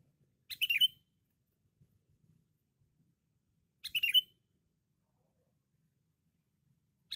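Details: A cengkram sooty-headed bulbul, said to sing loudly and often, delivers short liquid chattering phrases about every three and a half seconds against a quiet, clean background, a third phrase starting at the very end.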